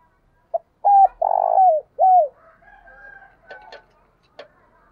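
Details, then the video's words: Decoy spotted dove's thúc bổi calling coo: a short opening note, then a falling note, a long throbbing coo dropping in pitch, and a clear downward final coo. Softer whistles and a few sharp clicks follow. "tiếng cu mồi thúc bổi và gáy gọi"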